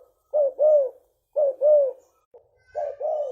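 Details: Leopard spotted dove with a big voice, recorded to lure other doves: three double coos, short then long and falling, with a faint stray note between the last two phrases.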